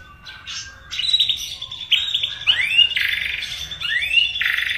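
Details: Gacor song of a white-rumped shama (murai batu): repeated upward-swooping whistles over a buzzy, rasping sustained note, with short chips at the start; the bird grows louder after the first second.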